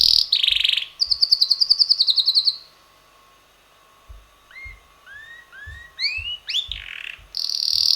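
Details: Pet red male canary around six months old; a high buzzy roll and quick trill, a short pause, then a sequence of rising whistled notes climbing in pitch before another buzzy roll.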